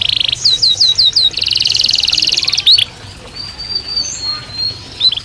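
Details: Belgian canary singing naturally: a short buzzy burst, several looping slurred whistles, then a fast harsh trill, after which the song fades to faint high thin whistles over background noise.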